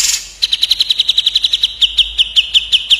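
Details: Fast 'tembak' duel between a grey-cheeked bulbul (cucak jenggot) and an olive-winged bulbul (kapas tembak): a long, machine-gun run of crisp, high whistled notes, about five per second, slowing slightly toward the end.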